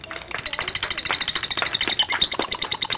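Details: Lovebird in a long ngekek trilling song, a fast train of sharp high chattering notes running continuously, rising slightly in pitch midway, with some faint background murmur.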